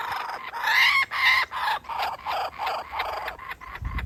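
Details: Adult male kookaburra making its baby wait while dangling food, then feeding it: a loud run of harsh, chuckling notes, about two or three per second, the first ones strongest and rising, then steadier.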